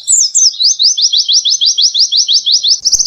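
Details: Caged white-eye singing a canary-style training trill: two high downslurred notes, then a steady run of about fourteen quick slurred notes, roughly five per second, ending in a faster buzzy burst.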